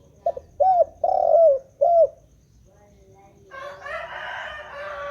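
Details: Spotted dove calling without pause: four deep, mellow coos, the third drawn out and falling, then a rough, hissing rustle of other sound fills the second half.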